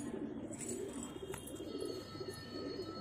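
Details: Soft, low warbling coos from a pair of Cheene pigeons, short repeated phrases across the stretch, with a constant faint hum in the background.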